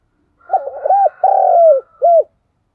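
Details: Spotted dove decoy bird cooing, played to prompt lazy captive and decoy doves to call in rainy weather: a short phrase of three low, hollow coos, the middle one longest and slightly falling.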